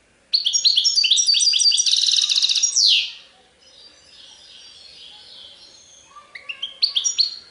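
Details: European goldfinch song in the Serfati Tiwawati style. A fast, liquid twitter builds into a rattling trill and then a sliding buzz. After a quiet pause, a fresh burst of tinkling notes starts near the end.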